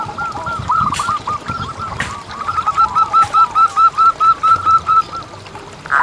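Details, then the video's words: Local zebra dove singing actively, used as a lure to get other zebra doves to sing: soft, faint cooing at first, then a steady run of about a dozen clear, evenly spaced, hollow coos. Rural background hum throughout. "Lokal Gacor Suara Paling ISTIMEWAcUntuk Pancingan Burung Perkutut Agar BunyiTerus"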